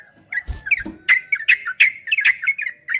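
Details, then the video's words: Yellow-vented bulbul training song in the long ropel style: quick slurred chirps rising and falling, broken by sharp clicks about every third of a second, two soft low knocks early. "Suara burung trucukan MASTERAN TRUCUK ROPEL 2023 TERBARU ‼️PASTI GACOR, TRUCUKAN ROPEL PANJANG"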